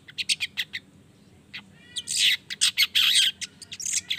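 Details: Pied bushchat song played as a lure to get other bushchats singing: a run of sharp, high chips, then a burst of loud, harsh, buzzy chattering broken into quick segments.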